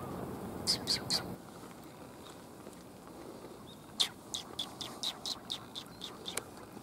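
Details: Sparrows coming to be fed on 1 January 2022, on the way home: three sharp high chirps, a pause, then a quicker run of about ten short chirps, over a faint low murmur at the start.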